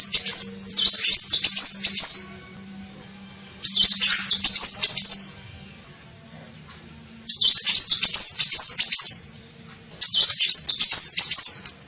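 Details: Sunbird lure call to attract birds, four high, fast twittering bursts of sawtooth-like notes roughly two seconds long, spaced by quiet pauses of similar length, faint low hum beneath.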